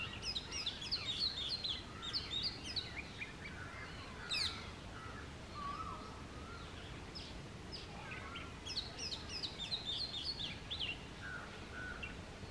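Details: Oriental magpie-robin singing in the early morning during the summer mating season: a rich, varied string of clear whistles, trills and quick chirps, rising and falling, over a steady low background hum.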